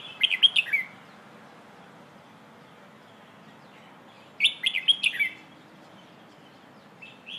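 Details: Red-whiskered bulbul singing in the hoot style for training young birds: two cheerful bursts of rapid bubbling whistles about four seconds apart, plus a short faint whistle at the end.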